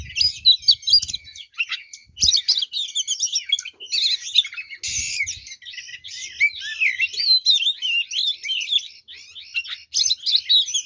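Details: Nonstop aggressive song of an oriental magpie-robin, intended to make other kacer angry: packed high twitters, harsh scratchy squawks and looping whistles, with faint low thuds now and then.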